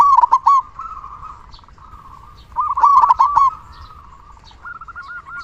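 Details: Rapid staccato cooing from a loud local zebra dove kept as a singing lure to rouse other doves, in two strong bursts separated by quieter, lower-volume cooing phrases.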